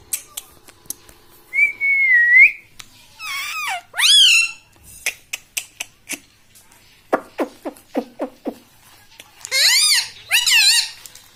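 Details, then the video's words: Pet talking parrot indoors, said to say "mummy" and "mitthu", giving a string of harmonic-rich, whistled and warbling utterances with rising and falling bends, separated by short clicks and pauses in a quiet room. "Tota Tota mitthu mitthu - Bolne wala tota - tota talk - mummy bolne wala mitthu - talking parrot"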